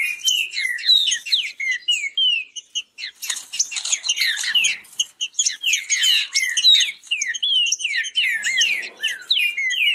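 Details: Fast song of a green-winged saltator during a singing contest, a dense, continuous stream of quick whistled and warbled notes with sharp downslurred phrases, hardly any gaps over ten seconds.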